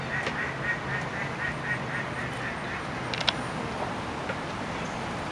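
Mallards give a run of soft, nasal quacks in a steady series over a constant low background hiss, with a couple of sharp clicks near the end.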